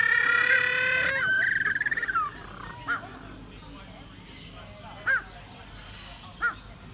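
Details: Little penguins kept at a wildlife park in Sydney: a loud, rich harmonic bray with rapid pulsations fills the first two seconds, then three short, quieter rising calls follow at spaced intervals over a low background hum.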